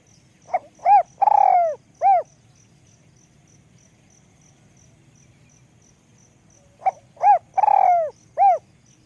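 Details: Spotted dove with a small, high voice, giving the 'luk kok' call style: two cooing phrases about six seconds apart, each a short note, an arched coo, a long buzzy coo and a final arched coo, over faint regular high ticking.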